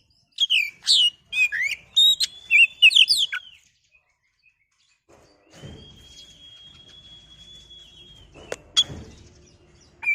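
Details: Oriental magpie-robin in a lure recording for making birds sing: a rapid run of bright whistled and twittering notes, then silence, a long steady thin whistle, and a couple of sharp clicks.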